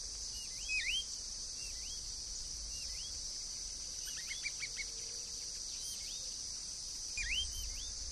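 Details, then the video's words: Green-backed becard (Pachyramphus viridis), free in the wild, giving short, sweet down-slurred whistles and a quick rising trill over a steady high insect drone. "CANELEIRO-VERDE (PACHYRAMPHUS VIRIDIS), GREEN-BACKED BECARD"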